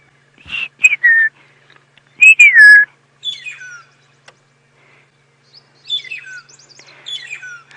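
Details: Magpie shrike (long-tailed shrike) at Djuma Game Reserve, South Africa, early morning around 7 AM on 25 September 2016, giving clear, fluting whistles that slide down in pitch, in bursts with pauses, with call-and-response from a second bird; faint background noise.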